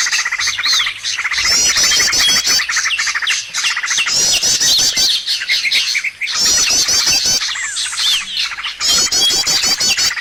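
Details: Bird calls played to lure birds for trapping: waves of dense, high chattering trills and chirps, about every two to three seconds, with quick rising whistles mixed in and short quieter gaps.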